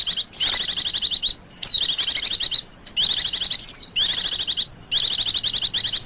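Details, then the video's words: Wild-white-eye lure of pleci calls: five fast, buzzy trilled phrases of high notes about a second apart, some with sliding downward whistles, delivered with almost no pause. "SUARA PIKAT BURUNG PLECI"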